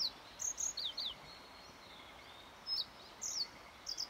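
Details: Yellow bunting song from 29 May 2021, a run of four high, thin downslurred notes, a pause of over a second, then another brief group of bright chips and a final pair, faint steady background hiss.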